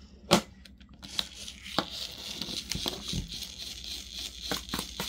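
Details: Indoors, paper is torn and crumpled in sharp irregular bursts, with a steady low hum behind it.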